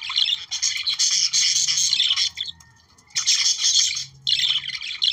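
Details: Budgerigars warbling to encourage reproduction, two long runs of scratchy twittering chirps separated by a pause holding a soft steady whistle.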